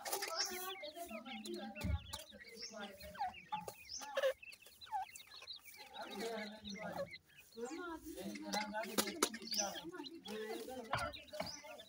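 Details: Black francolin chicks (kala teetar) calling together: dense overlapping high chirps and short downslurred peeps, with lower clucking and murmuring tones running beneath throughout.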